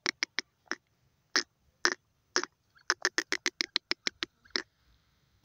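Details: Francolin uttering scattered sharp clicks that speed into a dense rattling series of staccato notes, ending with a faint high tone.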